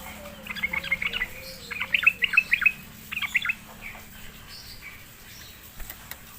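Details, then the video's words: Sooty-headed bulbul, a lazy singer lured into answering, sings short bubbly chattering phrases of quick high notes in two or three bursts, then fades. A low steady whistle-like hum runs underneath at first. "sekali di pancing trucukan malas bunyi pasti Nyaut gacor"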